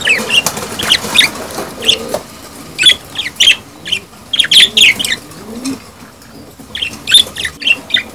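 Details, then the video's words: Mating calls of budgerigars, played to encourage breeding: bursts of bright, clipped chirps in clusters with brief pauses between them, over soft low warbles and chatter. "أصوات تزاوج البادجي"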